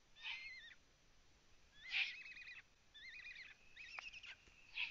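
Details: Eurasian eagle-owl filmed by a live nest camera in Latvia on 9 June 2017, around 03:27, during a prey delivery: wavering, quavering high calls in several phrases, mixed with harsh rasping bursts.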